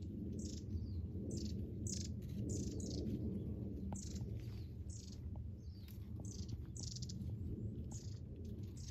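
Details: Assorted wild birds in thick bushes give scattered high, thin chirps and short twitters, some in quick pairs, over a heavy low-pitched background hum.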